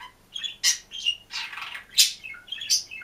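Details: Budgerigar kept alone in a cage, singing and chirping: a varied run of squeaky chirps, harsh scratchy squawks and short whistled notes, uneven in rhythm with brief pauses between bursts, in a quiet indoor setting.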